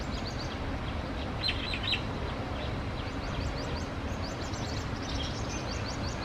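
Thin, high chirps from a male purple sunbird come in quick bursts of short notes, over a steady low rumble of background noise.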